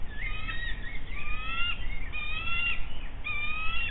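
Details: Bald eagles at a nest on the Monongahela River at a steel plant in West Mifflin, Pennsylvania, near Pittsburgh, 8 June 2024 at 09:42, as an adult brings in a fish and shares it with two others. Thin, high, whistled squealing calls with harmonics, some rising, over a steady low rumble.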